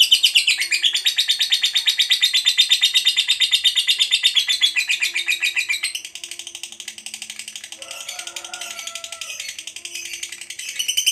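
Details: Lovebird in ngekek panjang song, a loud, fast stream of buzzy high pulses for six seconds that then fades to a quieter chatter while a brief lower warbling sound appears in the background.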